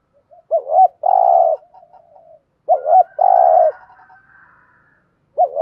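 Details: Spotted dove giving its stimulating thúc gù coo to prompt other doves: a double hooked note leads into a long even coo, repeated twice about two seconds apart, with a soft tail of lower murmurs.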